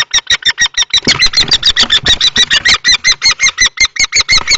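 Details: Loud, harsh repeated kee-kee calls with bumping sounds inside a nest box. Two male common kestrels, one adult and one young, fight for the box at Théding, 20 March 2024.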